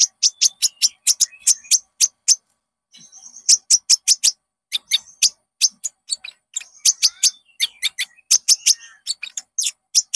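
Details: Konin (Common Iora) song used as a lure to make caged birds sing and show their full repertoire: rapid series of sharp high chips in bursts, with short whistled phrases between, clean and free of background noise.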